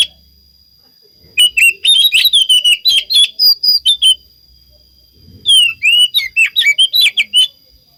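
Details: Oriental magpie-robin song used as a lure to make other magpie-robins answer: two bursts of loud, varied whistled and sweeping notes with sharp chirps, separated by about a second of silence.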